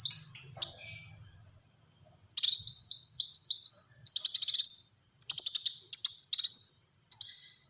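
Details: Dense 'tembakan rapat' song of a kolibri wulung (Black-throated sunbird): after opening chirps and a short silence come fast series of falling high notes and buzzy trill bursts, each run ending abruptly.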